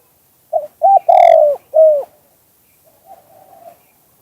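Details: Spotted dove song, two-kuk-hoi style in natural voice: short coo, second coo, long loud coo drifting lower, and a falling final coo, followed by softer faint cooing in the background.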